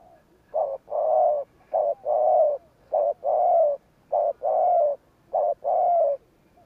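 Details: Spotted dove giving the Vietnamese 'gù kích' provoking coo, used to stir up wild doves. Low, hollow cooing in paired phrases: a short note, then a longer wavering one, repeated about every 1.2 seconds across four pairs. Quiet background.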